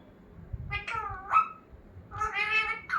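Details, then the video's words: Talking pet parrot indoors: two short bursts of harmonic, voice-like syllables, the first sliding downward and the second held and wavering, over a quiet room. "Talking parrot"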